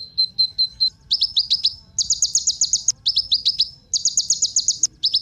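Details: Ninja sunbird (kolibri ninja) song used as a bait recording to prompt other birds to sing: bursts of high, thin chirps, first a short steady series, then rapid runs of sharply downslurred notes repeated in quick groups, with a low background hum.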